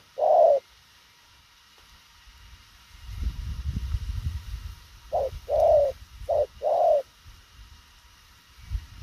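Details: Spotted dove with quick cooing: a single mellow coo, a few seconds of low rumbling noise, then a brisk burst of four soft coos, short and long notes alternating.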